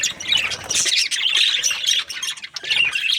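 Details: Budgies chattering together in a dense, continuous stream of scratchy, high chirps and squawky warbles that overlap without pause, dipping briefly near the end before rising again.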